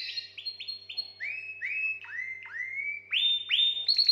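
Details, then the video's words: Canary song used to arouse females for mating: quick high chirps give way to a run of repeated rising slurred whistles, then a bright fast trill on a steady high pitch, with very little background noise. "Chant canari pour accouplement"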